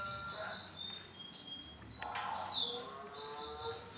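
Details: Male orange-and-black canary delivering high, rapid twittering trills and buzzy rolling phrases, followed by lower repeated notes.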